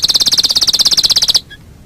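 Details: Short burst of canary song from a training master: a rapid high pulsed trill of about twenty even notes over roughly one and a half seconds, then abrupt silence with one faint note.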